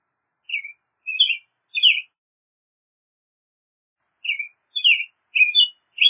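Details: Bursts of American robin song: three quick slurred phrases, a silent gap of about two seconds, then four more in a rapid run, with no other sounds.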